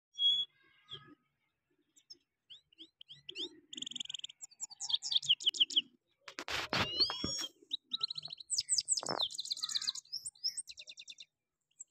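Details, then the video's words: Goldfinch singing in a full, rolling style: bright twittering phrases of high, quick notes and slurred whistles, broken by short pauses, with a dense burst of buzzy chatter in the middle. "gold finch full bower rolling sounds"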